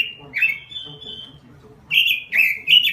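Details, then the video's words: Robin lure song: a sliding whistle drawn into a long thin tone, a quiet gap, then three loud warbled whistled notes in quick succession. "Suara Pikat Burung Robin Full Gacor"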